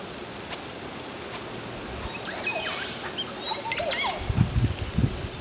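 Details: At a nesting tree at Rancho El Rodeo in Costa Rica's central valley, a male Montezuma oropendola gives its mating call, dropping upside down waving its wings: liquid, gurgling, synthesizer-like notes with sliding whistles over two seconds, then low dull thumps.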